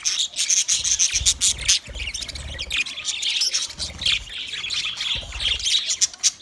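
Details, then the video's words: A flock of twenty budgerigar pairs chirping and warbling nonstop, shrill overlapping squeaks over repeated soft low bumps. "20 Budgie pairs chirping sounds"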